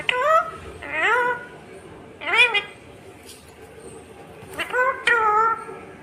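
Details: Indian ringneck parrot talking in a run of rising and falling harmonic, speech-like syllables, grouped in bursts with brief pauses and a few sharp clicks.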